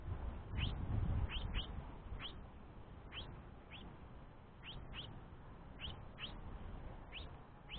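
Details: A young House Finch keeps pestering its father for food while the mother takes a break. About a dozen brisk rising chirps, singles and close pairs, with a louder low rumble in the first second.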